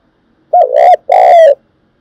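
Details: Spotted dove used as a decoy for trapping, calling in a quiet setting: two strong, rich coos, a short first note and a longer, level second one fading downward.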